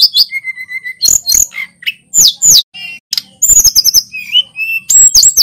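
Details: Male sulingan gunung, a local bird from Pacitan, singing hard with varied mimicked phrases: a steady repeated low whistle, high looping swoops, a rapid rattling burst and clear descending whistles in quick succession.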